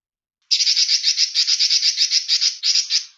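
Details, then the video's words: A single sustained, buzzy rattle from a male Pekin robin on a master recording for training songbirds, running for about two and a half seconds in quick, rough pulses. "Master Robin Jantan"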